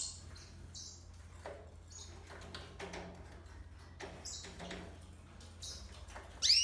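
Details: Hybrid of yellow-fronted canary and domestic canary singing: scattered high, bright whistled phrases and short chirps separated by pauses. A steady low hum runs underneath, and a louder note comes at the end.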